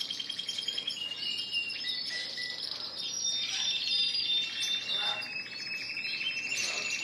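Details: A shop full of caged Spanish Timbrado and Gloster canaries in song, April 9, 2016; rapid rattling trills and thin metallic whistles blend into a steady chorus, with a soft voice underneath.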